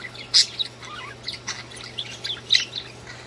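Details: Singing budgerigars give a couple of loud shrill chirps amid softer rapid chattering and squeaky notes, backed by a low steady hum.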